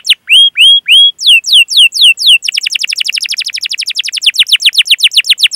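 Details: Canary master song for coaxing young canaries to sing: clear downward-curving whistled notes repeated at an even pace, then a fast run of sharp descending chirps forming a rapid chattering roll.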